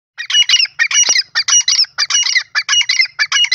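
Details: Grey francolin in breeding season, calling loudly and close: harsh, squawking notes packed into rapid rhythmic bursts, several per second, repeated steadily for the whole stretch with no other sounds.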